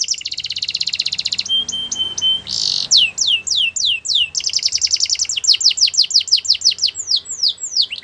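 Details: Belgian canary giving song to stir other canaries to sing: a dense buzzy trill, flat whistled notes, then repeated falling whistles and another fast rolling trill.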